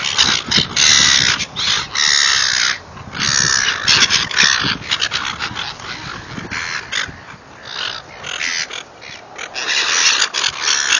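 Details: Noisy seagulls at feeding time, calling almost nonstop with coarse, grating squawks in clustered bursts and only short gaps between them.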